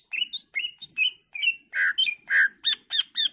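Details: Greater green leafbird singing varied whistled and harsher notes in quick succession, a lure for other leafbirds to answer: rising whistles, two raspy buzzy notes, then rapid downslurred chips.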